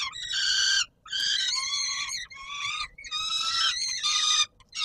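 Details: Peregrine falcons at feeding time on Warsaw's Palace of Culture and Science, 17 July 2022, give strained, rasping wails. Some wails slide downward at the end, and each is separated by a brief silence.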